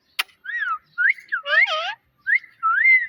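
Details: Pet parrot that talks and meows, here a sharp click followed by several clear whistled notes that swoop up and down, one with a rougher buzzy edge.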